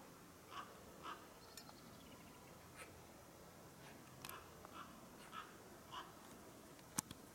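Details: A Eurasian magpie perched in a tree and shaking its feathers gives soft, harsh chacking notes, single or in short pairs, spaced irregularly over a quiet background hiss; a common raven croaks nearby.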